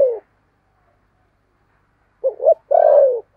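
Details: Spotted dove kept as a decoy to lure birds, with a 'thổ' voice style. After the tail of one coo and a pause, a short doubled note leads into a drawn-out, descending coo.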